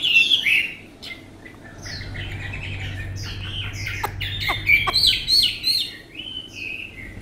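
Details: Chinese hwamei, a tame bird with a fine voice, delivering varied whistled phrases and short slurred notes, interspersed with sharp clicks and a low background hum, growing louder and richer near the end.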